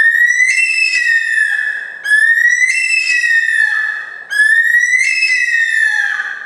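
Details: Wailing cry of a bush stone-curlew on Australia's Gold Coast: three repeated whistled phrases about two seconds apart, each rising sharply then easing down into a falling tail.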